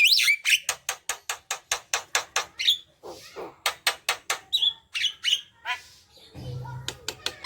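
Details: Javan myna chattering song, used to prompt other mynas to sing: a run of sharp clicking notes about four per second, broken by whistled rising squeaks and harsh churrs.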